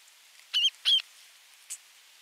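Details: Two loud, clipped whistled notes in quick succession, then a faint softer one, from an Osprey at its nest on 27 June 2022 as a fish is brought in and feeding is watched.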